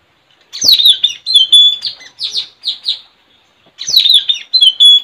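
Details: Caged Straw-headed bulbul, trained to lure wild birds, in a song contest with a friend's bird in a village, 4 April 2021: two loud phrases of quick high chirps and bright whistled notes separated by a short pause.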